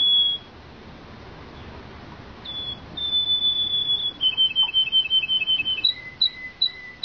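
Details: Belgian canary song with a short whistle, a long sustained whistled note, then a fast trill of clipped chirps ending in alternating high and lower whistled notes repeated steadily.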